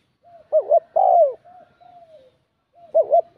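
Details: Spotted dove, bell-toned, cooing to provoke rival males; a wavering double note and a long falling coo, then softer trailing coos, and the phrase starts again.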